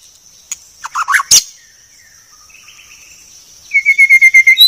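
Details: Clear white-rumped shama training recording. Short warbled chips open it, a quiet stretch follows, then a steady run of about eight evenly repeated whistled notes, with a constant thin high tone throughout.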